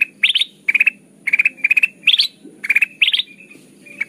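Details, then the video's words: Lure song of the kutilang emas (golden bulbul), lively and chatty, used for bird trapping. Repeated bursts of three or four rapid bright chirps, some rising at the end, a few softer notes trailing off. "suara burung kutilang emas pikat terbaru 2023 || Suara pikat kutilang emas gacor"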